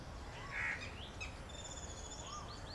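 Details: A breeding pair of Asian pied starlings preens in an acacia tree near their nests in Delhi in summer, giving a harsh grating burst, then scattered liquid whistles and rising and falling notes over a low rumble.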